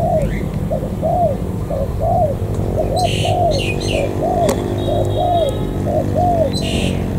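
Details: Wild-caught native spotted dove from the An Giang border gate, Vietnam: a run of mellow, rounded coos, each rising then falling, repeated quickly in pairs, with sharp chirps and a click from other birds in the background.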